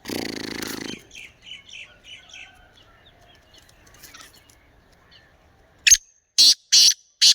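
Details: Kala teetar, the black francolin, calling at the end: four harsh, broadband rasping notes in a quick burst. They follow a loud low noisy sound and quieter chirps at the start.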